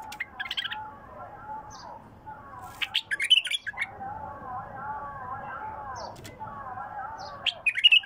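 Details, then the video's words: Bulbul song of pure-throated phrases: warbling, wavering notes run through most of the recording, broken by sharp, bright chirping bursts near the start, middle and end. "اجمل مداور لغات بلبل خام حنجره نقيه"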